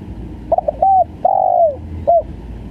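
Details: Spotted dove (tekukur) giving one stuttering phrase: two rapid clipped notes, a level coo, a long rough coo that sags in pitch, then a short final coo.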